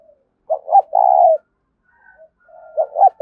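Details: Lure cooing of a spotted dove in the 'thúc' style, used to attract wild doves: one full phrase of two quick notes and a drawn-out vibrating coo, then a second phrase beginning, with soft murmurs between.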